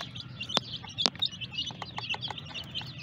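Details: Colourful baby chicks peeping in a crowd: rapid, piercing little cheeps, some sliding upward, packed closely together, interrupted by two sharp clicking taps around the first second, with a low background hum.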